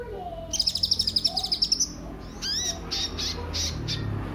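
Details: Kolibri ninja sunbird song used as a lure for other birds: a rapid, high, even trill of about a dozen notes, then several separate high chirps, with low hum beneath.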